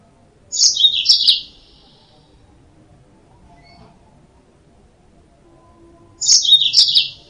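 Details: Two high, chattering phrases of a yellow-fronted canary, used to lure birds, each a quick cluster of sharp chirps, separated by about five seconds of near silence.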